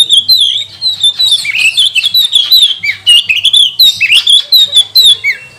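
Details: Magpie-robin singing a provoking song meant to stir rival magpie-robins into singing; rapid, continuous run of varied whistles, warbles and slurred notes, pulsing several times a second without pause.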